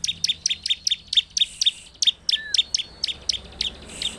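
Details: Bar-winged prinia song for provoking other prinias, an energetic train of sharp high chirps about four per second with a short gap, a faint thin whistle overhead and one lower falling note.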